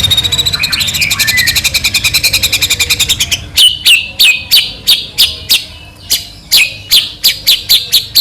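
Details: White-rumped shama song played to provoke another shama into singing: a rapid run of repeated notes for three seconds, then separate sharp high notes spaced about half a second apart.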